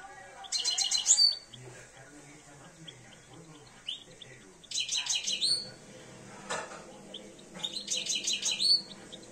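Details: European goldfinch, two years old, starting to come into breeding condition, singing three spaced phrases of quick, tinkling high twitters ending in a sharp rising note, with a soft knock and low voices between.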